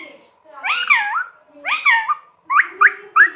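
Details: Talking green parrot indoors, giving two drawn-out, speech-like phrases with wavering, shifting tones, then three short rising chirps in quick succession.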